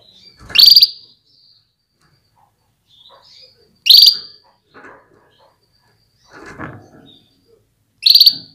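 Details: Female canary calling to make males ready and singing strongly; loud, high chirps falling into a brief steady whistle, repeated about every three and a half seconds, with faint scratching and a low thump between.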